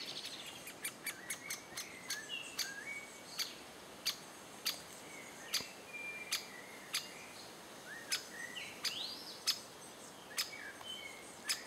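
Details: Great spotted woodpecker adults feeding chicks in June 2011: sharp, clicking kik notes repeated about every half second, with thin whistled notes from other birds in the background.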